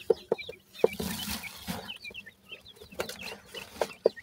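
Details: Grey francolin chicks at their nest while feeding give many quick, high chirping peeps in loose bursts, over sharp pecking taps and a soft rustling background.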